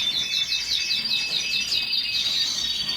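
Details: Canary pouring out a fast repeated trill of identical high notes, steady and rolling throughout, with constant noise underneath.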